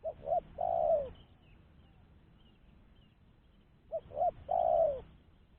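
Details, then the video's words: Spotted dove, recorded as a clear lure sound for attracting other doves, giving two brisk short coos and a long falling coo, two phrases roughly four seconds apart, otherwise quiet. "Suara Burung Tekukur-Pancingan Suara Tekukur Bersih"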